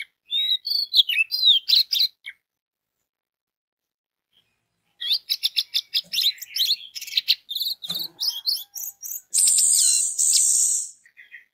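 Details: Orange-headed thrush song played to draw song from other orange-headed thrushes: a short burst of varied high chirps, a pause, then a long rapid jumble of sharp notes ending in a steady hissing noise.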